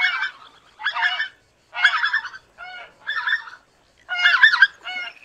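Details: Greater white-fronted geese giving loud, rich honking calls in clustered bursts roughly every second, voices overlapping into a chattering flock chorus with brief silences between bursts.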